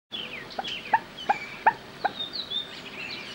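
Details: Common moorhen in a wetland in central France on 27 April 2012, around mating, with young of the first brood present; five sharp, squeaky notes sliding downward, with thin higher whistles trailing off.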